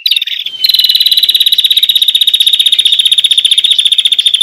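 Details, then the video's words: An olive-backed tailorbird gives a high, steady trill of fast, even pulses held at one pitch, running unbroken after a brief opening note; a lure call for catching birds in the wild forest. "suara pikat burung prenjak lumut"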